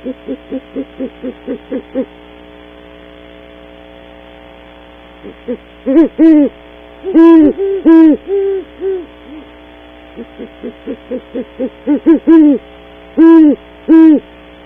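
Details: Pair of Great Horned Owls visiting a tree cavity in the early morning at Audubon Starr Ranch, California: a quick stuttering run of soft low hoots, then deeper, longer hoots in short bursts, over a faint steady electrical hum.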